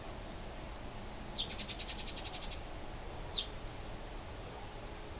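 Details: Wild Eurasian tree sparrows fighting in Lower Silesia near Bolesławiec, Poland; a sharp high chirp opens a rapid, buzzy rattling chatter lasting about a second, then another lone chirp two seconds later, over a low steady background hum.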